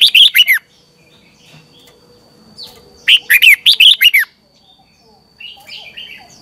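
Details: Red-whiskered bulbul singing in the morning, a training and lure song meant to spur newly caught birds into full song: two loud bursts of quick, slurred, bubbling notes, the second longer, separated by a pause, with softer notes near the end.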